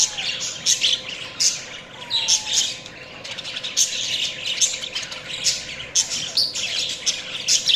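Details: Busy, overlapping chirps and squeaky chatter from several budgerigars come in dense bursts nearly every half second, with one slurred whistle early on and a soft hum beneath.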